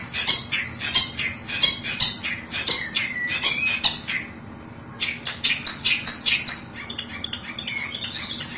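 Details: Long-tailed shrike lure call used for trapping: bursts of harsh, scratchy squawks, several per second, with a short pause near five seconds before the chatter resumes.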